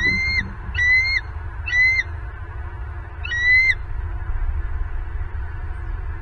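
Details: Bald eagle calls from a Southwest Florida nest camera on 24 November 2022: thin, squealing, slightly descending notes given in two short bursts, three then one, over a constant low background rumble.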